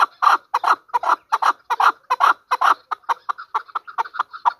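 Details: Pakistani hunter chukar partridge: loud, throaty clucks in fast pairs and triplets, then easing into softer, quicker notes toward the end.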